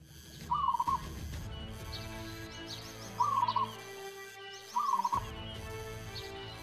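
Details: A local Indonesian zebra dove (perkutut) sings from its perch: three short, stuttering bursts of soft, mid-pitched cooing, each about half a second, spaced a couple of seconds apart over a low steady hum.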